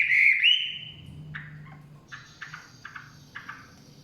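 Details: Chinese hwamei in the forest: one loud, rising whistled phrase, followed by quieter, short clipped notes in small pairs about every half second, with low background hum.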